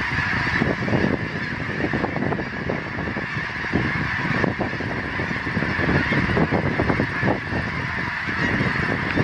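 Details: Geese calling on September 25, 2014: a dense, continuous chorus of overlapping short nasal honks from many birds, with no pauses, over a steady background hiss.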